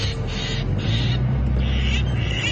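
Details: A starling giving harsh, rasping alarm calls in quick repeated bursts near buffalo weavers, possibly disturbed by them, on an afternoon safari drive at Djuma Game Reserve, February 2015, over a low engine rumble.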